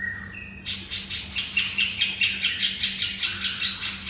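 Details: White-rumped shama master song for training songbirds: after a thin whistled start, a fast series of high, sharp, bright notes repeated about twice a second, with a steady low hum beneath.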